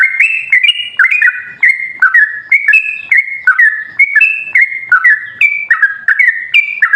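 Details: Yellow-vented bulbul giving energetic 'gacor' song, played as a lure to provoke other bulbuls into answering. Unbroken chain of bright whistled notes that jump up and down in short steps, dense and rapid throughout.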